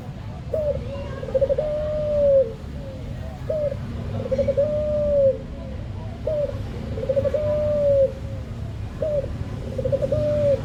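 Barbary dove cooing: a short clipped note followed by a long, smooth, low purring coo, repeated about every three seconds over a steady low background rumble.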